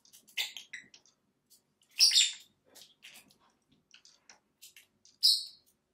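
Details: Two pet lovebirds, a Blackmask and a Violet Fischer's, playing outside their cage on a cat tree by a window; scattered high, scratchy chirps and squeaks, with louder harsh notes near two and five seconds and soft clicks between.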